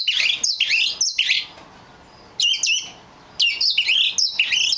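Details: A rare black magpie robin sings loud, rich whistled phrases that slur up and down, given in three bursts with short pauses in between.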